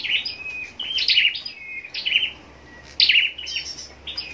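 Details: Captive scarlet-backed flowerpecker kept for singing contests, producing high-pitched chittering bursts mixed with thin level whistles, a handful of phrases with short pauses.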